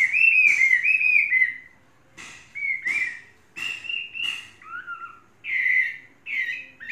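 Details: Chinese hwamei, tame and three seasons old, opens with loud rolling whistled phrases, pauses, then gives separated short whistles, one lower dipping note and strong bright bursts.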